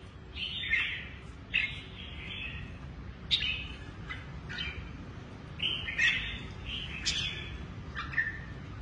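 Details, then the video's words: Red-whiskered bulbul of the Lân Tê type, a kept bird with a shrimp-shaped back and drooping wings, singing: short bright chirped phrases repeated about every second, with a low background hum. "Chào mào Lân Tê quá đẹp, lưng tôm cánh xệ nết rê 2 cầu"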